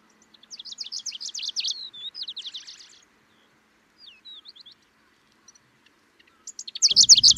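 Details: Middendorff's grasshopper warbler singing in Kaohsiung, Taiwan, on 25 May 2023: rapid bursts of dry, high chattering notes in a phrase lasting about two seconds, a few thin slurred whistles, then a fresh chattering burst ending with a low rumbling thump.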